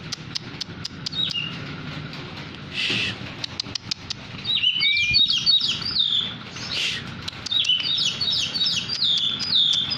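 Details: Hand-tame Oriental magpie-robin, poci type, singing loudly. Scattered clicks and a brief rustle lead into a long series of bright, rapidly changing whistled phrases, delivered with almost no pause.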